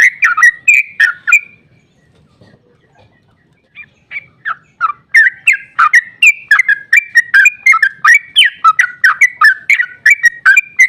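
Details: Long, emotive 'ropel panjang' song of a sooty-headed bulbul, used to coax rival bulbuls to reply: an opening burst of chattering whistles, a near-silent gap, then a sustained fast series of slurred whistled notes.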